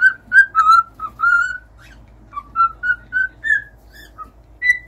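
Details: Cockatiel song of short separate whistled notes, rising and dipping in pitch, delivered in quick groups with a quiet pause in the middle; soft low hum behind.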